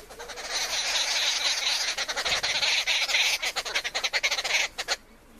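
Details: Arrow-marked babbler eating at a campsite, giving loud, harsh, rasping chatter that runs densely for about three seconds, then breaks into rapid stuttering pulses before stopping abruptly.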